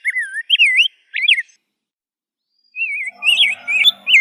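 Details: A rose-breasted grosbeak sings sweet, wandering whistled notes, pauses for over a second, then resumes with more looping phrases over a faint low hum.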